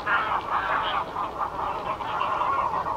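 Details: Greylag goose calling: a steady stream of nasal honks and cackles, densely overlapping and repeated several times a second, suggesting several birds, with no gaps over the whole stretch.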